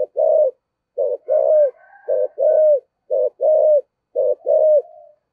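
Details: Decoy spotted dove repeating its 'giọng thổ' coo four times, roughly one phrase per second. Each is a short note followed by a longer, slightly falling coo, with soft background hums between phrases.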